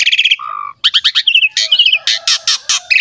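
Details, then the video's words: Asian pied starling song used to prompt young starlings to sing: a varied, rapid medley of repeated chirps, a low buzzy tone, trills and harsh bursts, all high-pitched and loud, with no other sounds. "PANCINGAN JALAK SUREN GACOR MOMPA FULL MATERI MEWAH UNTUK JALAK MUDA"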